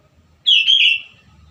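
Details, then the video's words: Sooty-headed bulbul in full song, used as a lure for wild bulbuls and to train birds to sing: one bright, slurred whistled phrase of about half a second, rich and warbling, then sliding downward, over a faint low hum. "KUTILANG GACOR SUARA ASLI TAMPA ISIAN COCOK UNTUK PANCINGAN BUNYI KUTILANG LIAR AGAR CEPAT GACOR"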